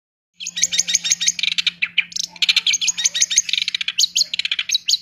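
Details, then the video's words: Long-tailed shrike singing in the fast, tight 'roll tembak' style: a dense burst of rapid, high chattering notes begins after a short silence and runs without pause, with a faint steady low hum underneath. "Cented Gacor Roll Tembak Full Materi Speed Rapet"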